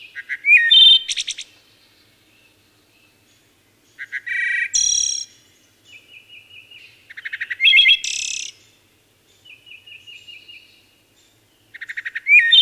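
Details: Wood thrush singing a run of varied phrases. Flutey slurred whistles and high ringing trills alternate with soft, evenly spaced repeated notes in the gaps. The background is quiet.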